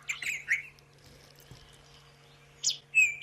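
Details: White-throated robin-chat on a sunrise safari drive in South Africa, 9 September 2016, giving a few short, bright whistled and chirpy phrases separated by a pause, over a steady low vehicle engine hum.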